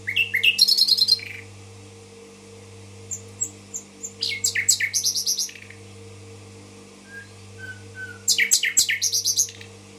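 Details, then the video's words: Common nightingale singing in Tashkent, delivering three dense bursts of rapid, rattling, high trills separated by pauses, with a few soft whistled notes between them. A constant low electrical hum is present. "соловей гафиза булбул ташкент"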